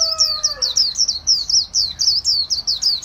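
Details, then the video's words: Líu-style white-eye song from Vietnam, kept by bird artisans: an unbroken run of high, bright slurred chirps delivered in quick succession, each note twisting downward, with a fading low tone at the very start. "KHUYÊN LÍU HAY NHẤT 2019"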